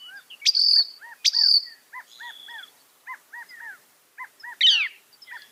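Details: Northern mockingbird, a mimic said to hold 200 sounds, gives two loud sharp squeaky notes followed by a run of soft, evenly spaced slurred whistles and a brief harsh burst, in a masteran recording.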